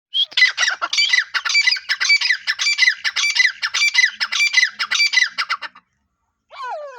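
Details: Grey francolin (Francolinus pondicerianus) giving loud, harsh, squawking notes repeated rapidly for about six seconds, then a brief, different falling call.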